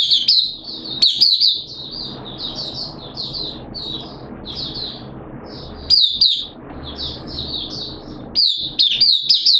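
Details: Captive oriental white-eye in full song, recorded 13 September 2022 during deworming treatment. A long run of thin, high chirps and quick warbled phrases pours out almost without a break, with louder bursts at the start, middle and end.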